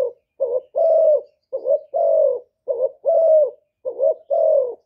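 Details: Decoy spotted dove, Cà Mau, used to attract wild doves: four clear coo pairs, each a short rising-falling note followed by a long even hooting coo, repeated roughly every 1.2 seconds.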